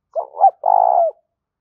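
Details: Spotted dove luring call: one brief phrase of two clipped coos running straight into a longer held coo that dips at its close.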